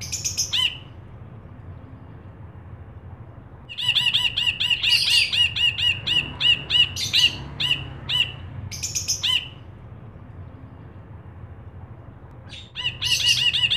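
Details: Ashy bulbul in lively song for tutoring and luring birds: short bursts of rapid, ringing chattering notes, some with a buzzy overlay, separated by quiet pauses of several seconds against a low, steady background hum.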